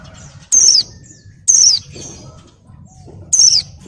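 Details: A molting female Oriental white-eye in breeding condition calls to draw males. Three loud, piercing, high descending notes sound roughly one second apart over a quiet background.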